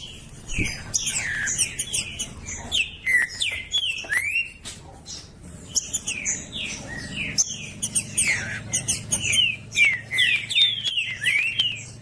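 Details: Green-winged saltator singing as a tutor for warming up a caged trinca-ferro: bursts of quick slurred whistles, about two or three notes a second, pausing briefly mid-phrase, with a faint low hum and a soft thump.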